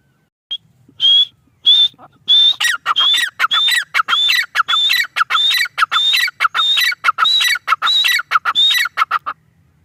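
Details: Male grey francolin starting with a few isolated high whistled notes, then building into a fast, regular chain of loud phrases. Each sharp whistle is followed by harsh, scraping lower notes, repeated nearly twice a second.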